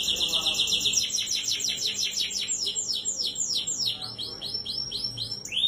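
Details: Lure song from a lively 'gacor' canary, meant to set a silent canary singing: a dense high trill at first, then many fast repeated down-swept notes, closing with a sudden rising sweep.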